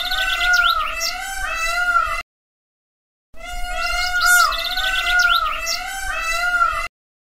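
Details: Peafowl calling loudly: two drawn-out, nasal, strongly harmonic wails of about two seconds each, wavering slightly in pitch and separated by a short silence, with higher chirping notes layered over them.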